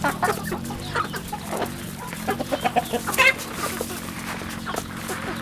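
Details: Rural farm chicks calling, a run of short louder clucks and peeps in the first few seconds, then quieter scattered cheeps over a low hum.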